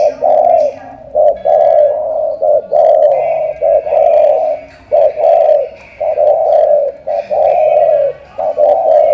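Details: Continuous cooing by a spotted dove from Cà Mau: loud, mellow, mid-pitched notes grouped as short-then-long pairs, repeating almost without pause.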